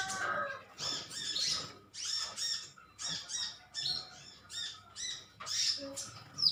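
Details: A metallic green sunbird colony bickers with chirps. Short, high twittering phrases repeat roughly every half second, each a tight cluster of squeaky notes, with a few thin whistled slides.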